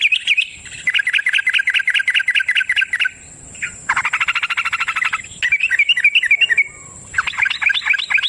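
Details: Yellow-vented bulbul in wild-style long continuous chattering song used as a lure for other birds: rapid runs of repeated sharp notes, broken by short pauses, with a steady high hiss behind.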